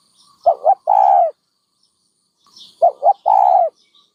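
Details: Dove cooing: two short, low, hollow notes followed by a longer drawn-out coo, the phrase given twice with a pause between, in otherwise quiet surroundings.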